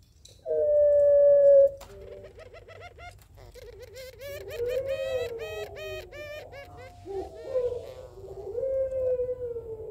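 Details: Barbary doves answer each other with low, rolling coos, calling to a rival: one long steady note, then bubbling, wavering phrases, over a faint indoor hum.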